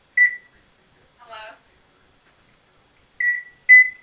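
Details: Pet Congo African grey parrot, bought at seven years old and known for cursing, rambling alone indoors. Short clear whistled tones at a steady pitch, each sliding down slightly, flank a brief buzzy, harmonic-rich burst. Quiet room otherwise.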